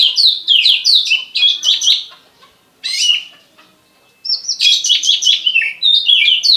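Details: White-rumped shama singing a fast, varied song described as imitating a bar-winged prinia: rapid runs of high chirps and trills sweeping down, in bursts separated by short pauses.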